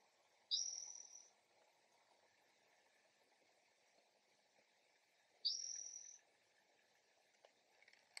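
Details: A Spotted Towhee calls early one morning in a backyard with two buzzy, upslurred mewing calls about five seconds apart, each sliding up and then holding, over a steady hum of insects.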